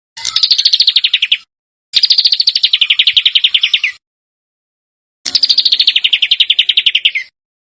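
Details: Bird recorded as masteran, a training track for contest songbirds, described as dense, harsh screams: three loud, fast trilled bursts, each about one to two seconds of rapid repeated notes that slide gently downward, separated by silence.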